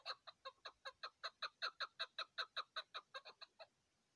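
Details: Crisp series of loud chuck notes from a chukar partridge on a mountain at hunting time, about five per second, evenly spaced, then stopping abruptly before the end.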